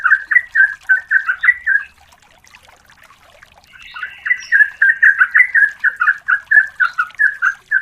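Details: Female yellow-vented bulbul calling the male, used as a lure recording: rapid bubbly chattering notes, about two per second, in a burst, a brief pause, then a longer chattering run. The background is clean.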